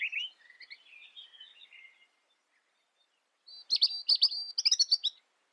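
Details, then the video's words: Robin song kept as a tutor recording for training other cage birds: a soft warbled phrase fading out, a pause, then a loud burst of high, rapid chirping notes with sharp clicks. "Suara Kicau Burung Robin Masteran Gacor"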